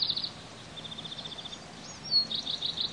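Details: Bald eagle eaglets on their nest on a hot day, panting and peeping: thin, high peeps in quick even runs, one series sliding slightly lower, then a brief sharper note and more rapid peeping.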